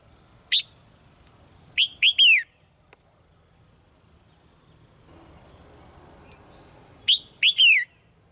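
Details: Caged female red-whiskered bulbul calling softly to prompt a male to sing louder: a lone sharp note, then two three-note phrases of short clear whistles ending in a longer falling slur, separated by quiet pauses.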